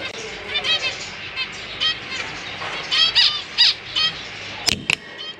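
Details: Zebra finch parents and their six young in a large cage, chicks newly out of the nest and practising flying, May 2023. Separate short nasal, trumpet-like calls every half second or so, with a sharp click near the end.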